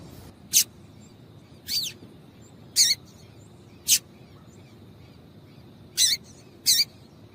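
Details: Calls of a female double-collared seedeater, used to get males singing: six isolated, thin, high chips spaced about a second apart, some ending in a quick falling slur, against quiet background.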